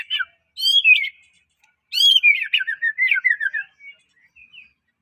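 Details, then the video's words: Melodious song of a Medan white-rumped shama, used as a lure to excite others: two rich whistled phrases, the second long and tumbling down in chattering notes before fading into soft quiet twitters. "MURAI batu gacor suara unik bikin murai murai batu lain langsung gacor"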